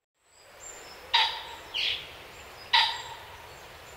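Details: A common pheasant cock marking territory gives two harsh, explosive crowing bursts about a second and a half apart, with a softer rasping note between; faint high whistles from other birds behind.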